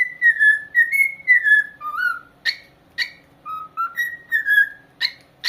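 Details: Indoor corella singing a fluent sequence of whistled notes, alternating higher and lower pitches, with several abrupt harsh bursts between phrases at roughly two per second.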